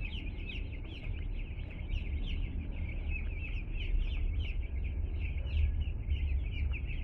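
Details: Two-day-old chicks just arrived at a home, a crowd of them peeping constantly in dense, overlapping high chirps, with a steady low rumble of handling or box noise underneath.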